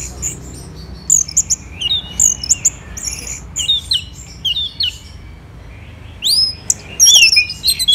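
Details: Orange-headed thrush with a varied song of high chirps and twisting whistled notes in clusters. A quieter gap comes mid-way before loud upward-sweeping phrases return.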